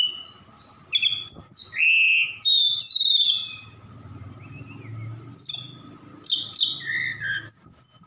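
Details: Javan bush lark from Sukabumi singing vigorously with borrowed phrases of cililin and sikatan londo; sweeping high whistles, a dry buzzy trill, then dense chattering notes, with a low murmur and steady hum behind.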